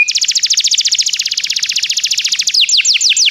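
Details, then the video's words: Canary song for encouraging a canary to sing: a long uniform trill of quickly repeated notes, changing near the end to slower, wider downward-sweeping whistles. "O som de um canário é eficaz para o seu canário cantar"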